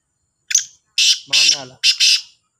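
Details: Two black francolins (kala teetar, Sahiwal type) in a calling contest: four hoarse, scratchy bursts, the last pair run together, with a low buzzy harmonic sound beneath the third burst.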